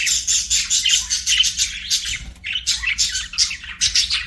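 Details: Chirping budgies give quick, buzzy, rhythmic twitters with short clear whistled notes, pausing briefly near the middle before the scratchy chatter resumes.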